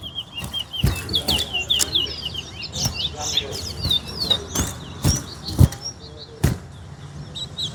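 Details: During a West Coast versus West Bank singing competition, a chestnut-bellied seed-finch (towa-towa) delivers dense bursts of high, sharply slurred chirps and warbles, with scattered knocking sounds, background music and a person counting.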